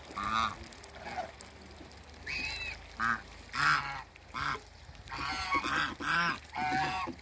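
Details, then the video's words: A pair of African geese on a waterbird farm honk in uneven bursts, some calls rising and harsh, others short and clipped, several per second toward the end. "MEETING AFRICAN GEESE COUPLE"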